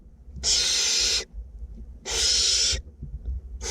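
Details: A pair of barn owlets in a nest box in north Glasgow hiss harshly while being fed, two long breathy screeches about one and a half seconds apart and the start of a third.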